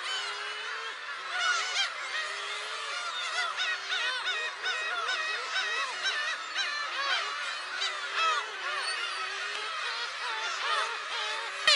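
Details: Black-tailed gulls gathered after flying up to a shrine, recorded on Friday 10 July: a dense chorus of many overlapping nasal, cat-like mewing calls, each slurring down, with no pause throughout.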